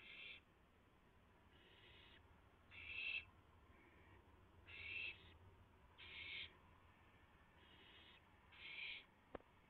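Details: Night-time rabbit delivery to an owl nest, 3:38 AM on April 7, 2016; three owls later share the prey. Breathy screechy hisses, each under a second, come every second or two, alternating louder and softer, then a sharp click near the end.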